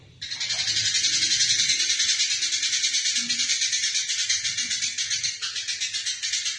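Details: Fighting Eurasian tree sparrow, recorded as training material for other songbirds. Loud, continuous, grating chatter of fast pulses fills the whole stretch, with the pulses growing more distinct toward the end.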